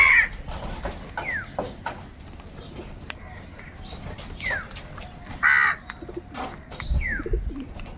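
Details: Angry crows calling while fighting for food: loud rasping caws open the recording, and another burst comes about five seconds later. Falling whistles from other birds and scattered clicks fill the gaps.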